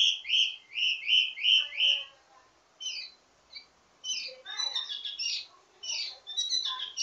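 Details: Ledekan teasing song of a wambi mini, full of variations and used as a master for training others: a quick series of five loud whistled notes, then softer scratchy chatter and mixed fragments.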